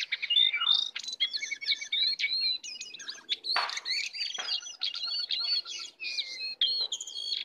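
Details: Jongkangan (brown cingcoang) in the wild, approaching to attack: a jumbled stream of quick high chirps, slurred whistles and chattering trills, steady throughout with short gaps.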